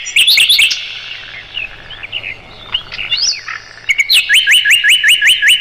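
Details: Mugimaki flycatcher song recorded as tutor material for training songbirds. Varied high twittering and gliding whistled notes lead into a rapid series of repeated upswept chirps in the final seconds.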